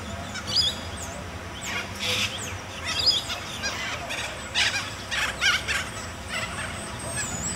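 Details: Western corellas in urban Penrith, Western Sydney, NSW, give harsh, raspy screeches in overlapping bursts, several birds calling at once over a steady low rumble of traffic.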